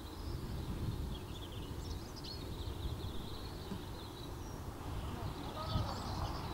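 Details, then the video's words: Barn swallows sunbathing on a house roof in a countryside village in Morbihan, France, on 11 September 2021, days before leaving on migration; soft, high twittering chatter runs in a steady stream over low rumbling background noise. "HIRONDELLE Rustique/Été/Bain de Soleil 2021 ! BRUITX"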